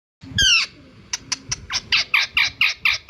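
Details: Indian ringneck parakeet gives one loud harsh squawk, then a quickening run of short, sharp, raspy notes about five per second.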